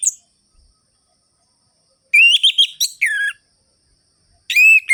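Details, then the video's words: Orange-headed thrush song with a sharp, rhythmic rolling-and-ringing style, played to rouse other birds: clear looping whistles and a descending slurred note in short bursts separated by silence. "ANIS MERAH GACOR ABIS untuk pancingan bunyi burung anis merah yang loyo"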